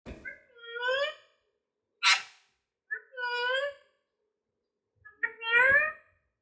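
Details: Pet Alexandrine parakeet (Indian ringneck) talking indoors, said to call "mummy" and "mithu miya": three rich, voice-like phrases with bending tones, separated by pauses, plus one short harsh hissing burst in a quiet small room.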